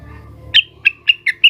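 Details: Leafbird (cucak wilis), agitated and calling rivals, gives five separate sharp chip notes spaced about a quarter second apart after a quiet start.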